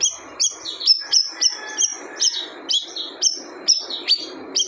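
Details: Siri-siri bird uttering short, high, clipped chirps, each a quick falling tick, repeated at a brisk uneven pace with low hiss behind.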